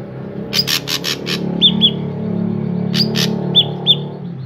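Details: Drongo in lively song meant to lure other drongos into singing, giving a quick series of four or five harsh rasping notes, then paired short whistled chips, and the pattern repeats, with a low humming background.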